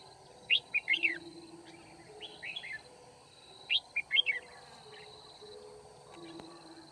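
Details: Red-whiskered bulbul used as a decoy in trapping, 9 February 2019, singing to challenge rivals: two clusters of quick, sweeping warbled notes about three seconds apart, a softer phrase between, low background drone.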